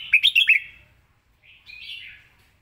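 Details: Red-whiskered bulbul praised for good phrasing, a clear melodic line and quick, clear delivery, giving a burst of rapid bright chirped notes followed by a softer warbled phrase after a short pause.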